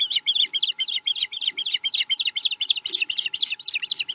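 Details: Ragged, overlapping high chirps from the Chesapeake osprey nest on 7 April 2020, where an osprey is eating menhaden. The notes come quickly and unevenly, sounding busier and harsher than a clean series.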